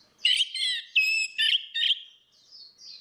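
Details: Orange-headed thrush, female against male, singing ngeplong as a lure for a silent bird: four bright, buzzy whistled notes in quick succession, then soft high trailing whistles.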